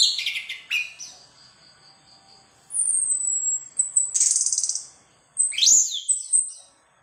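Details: Orange-headed thrush pouring out its learned repertoire (bongkar isian), mixing a high thin drawn-out whistle, buzzy rattling chatter and sharp swooping notes in varied, fast-changing phrases.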